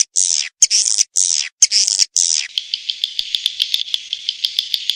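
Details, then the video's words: Swiftlet calls: five harsh, hissing high buzzes, each about half a second long, followed by a softer series of quick, ticking chirps. "Suara Panggil Walet"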